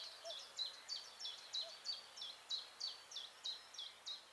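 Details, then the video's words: Garden warbler singing low inside a bush, close microphones two meters below; a quiet series of rapid, evenly repeated short descending whistled notes about three per second over steady background hiss, with a faint low call. "This garden warbler song (Silvia borin) sounds great!"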